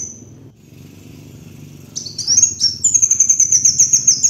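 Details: Kolibri wulung (sunbird) master song for training birds: after a quiet start, high sharp notes build into a long, rapid, evenly pulsed trill, with a low hum in the background.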